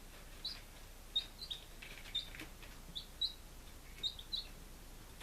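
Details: Five-day-old chickens, Lunenburg, Massachusetts, 23 July 2017: soft, high, brief peeps repeated roughly every half second against quiet background hiss.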